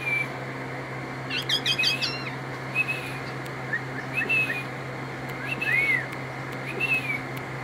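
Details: Asian pied starling song: a quick burst of chattering, jumbled notes, then short arched whistles repeated about once a second, over a steady low electrical hum.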